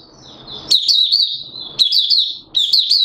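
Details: Oriental white-eye from Malaysia singing buka sing, hobby bird in Singapore, 29 March 2023, warm and humid: three quick bursts of shrill, slurred twittering notes, each preceded by soft hissing background noise.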